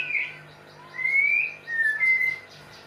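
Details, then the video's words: White-rumped shama during mating, giving clear whistled phrases that rise and slide around the middle pitch, three separate notes in under three seconds, with a steady low hum behind. "MURAI BATU KAWIN"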